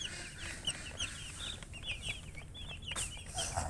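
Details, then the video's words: Chicks of domestic chicken give scattered high, downward-slurred peeps, a few at a time, over a noticeable low rumbling background. "Baby "Chicks Chirping" Sound"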